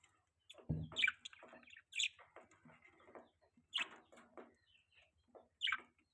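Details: Pet budgerigar during the mating season: scattered short chirps and scratchy warbled notes in bursts, separated by brief pauses, with a low thump near the start.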